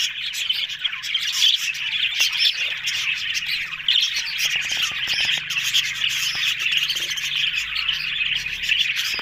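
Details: Budgerigars chatter nonstop on October 1, with a thick blend of scratchy warbles, twitters and short calls from many birds and a few clicks heard throughout.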